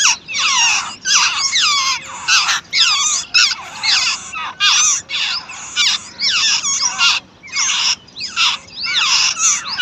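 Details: Chicks being fed by their mother give a long series of choppy, high squeaking bursts, each under a second, repeated steadily with short silent gaps.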